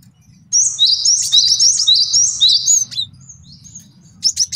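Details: Male cinereous tit master song for tutoring and trapping: after a quiet start, a steady two-second string of repeated high two-note whistled phrases, then softer notes and a few closing chirps, with a low background hum.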